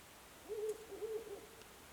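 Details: Owl heard every night from late February to early March, calling from the mountain opposite: a low, wavering hoot of about one second with a slightly broken, tremulous middle, over faint background hiss.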